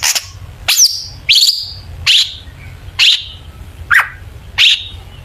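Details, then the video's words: Long-tailed shrike sound used as a lure to get other shrikes singing: harsh, grating high notes repeated roughly every 0.6 seconds, seven in a row, each a short raspy burst. "burung cendet gacor FULL ISIAN BONGKAR JITU, PANCINGAN CENDET AGAR BUNYI jadikan BURUNG PENTET GACOR"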